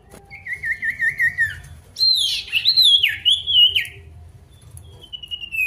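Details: Lively male pied bush chat singing against a rival: a wavering trilled whistle, then a rich run of jumbled, swooping whistled notes and a last thin falling whistle.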